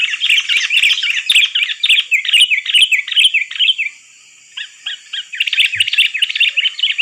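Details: Trapping lure of a lively sooty-headed bulbul: fast, repeated bright slurred notes in busy chattering phrases, a short silence, then the chatter resumes strongly.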